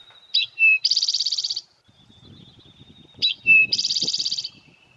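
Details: Eastern Towhee at Natural Tunnel State Park sings twice, about three seconds apart. Each phrase is two clear notes then a fast ringing trill, "drink your tea-ee-ee", with a faint low rumble beneath.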